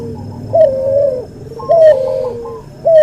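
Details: Masteran of a cuhu, the cross between white albino puter and puter pelung: clear, mellow coos, each a short rise into a long gently sliding note, repeated about once a second over faint background murmur.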